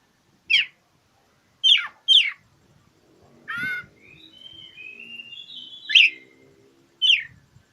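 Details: Oriental magpie-robin challenging a rival: crisp downswept notes, a harsher buzzy note, then a soft rambling whistled subsong before more sharp notes; faint low murmurs underneath.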